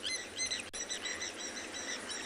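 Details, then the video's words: On a Saturday afternoon at an African waterhole where a pair tend a chick, blacksmith lapwings give sharp, metallic clinking notes in quick succession over a steady hiss of insects and outdoor noise, drawing the attention of nearby lions. "Some blacksmith lapwings that have gotten their attention. You saw when they looked up there? You can hear the lapwings."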